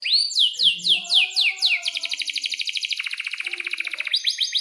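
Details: Vigorous canary song of the long-rolling kind, used as a tutor for young canaries: rapid falling whistled notes give way to a fast buzzy roll of about twenty repeated pulses, then rising chirps return.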